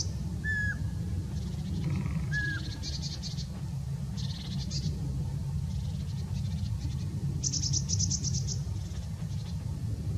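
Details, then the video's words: Eurasian pygmy owl giving two short, flat whistles about two seconds apart, then falling quiet while other birds twitter and trill high above a constant low rumble of wind. "Varpuspöllö ääni"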